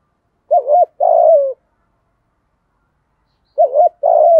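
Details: Spotted dove used as a lure, its 'giọng thổ' style song said to make wild doves coo back: two matching phrases, a quick double coo then a long, slightly descending coo, spaced about three seconds apart.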